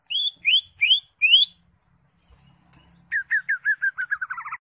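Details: Greater green leafbird (cucak ijo) in ngekek-style song: four clear upslurred whistles spaced about half a second apart, a short pause, then a fast series of about eleven chattering notes that drop slightly in pitch.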